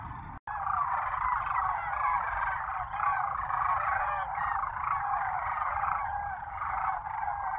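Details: Wave after wave of migrating Sandhill cranes at sunset: a dense chorus of rolling, trumpeting bugles from many birds overlapping without pause.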